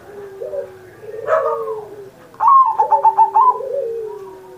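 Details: Zebra dove singing as a master recording for pet doves; a low drawn-out coo and a brief rising note come first, then a crisp burst of rapid stuttering coos, with lower cooing behind.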